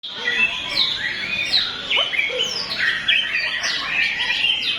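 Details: White-rumped shama singing in full voice: a dense, varied stream of rich whistles, sweeping slurs and sharp chips tumbling together without pause, over a faint background hiss.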